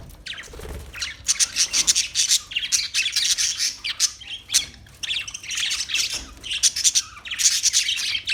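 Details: Chirping parakeet, a loud run of rapid scratchy notes and high squeaks, broken by a few brief pauses, with a soft low thump near the start.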